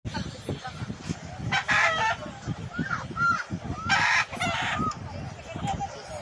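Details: Chicken (Gallus gallus domesticus), fighting sounds.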